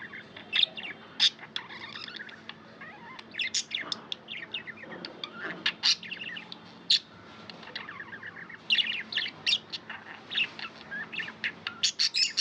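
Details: Tamed pet budgies in a group chirp continuously, a dense warbling chatter of quick high ticks, squeaks and twittering phrases with frequent sharp peaks throughout.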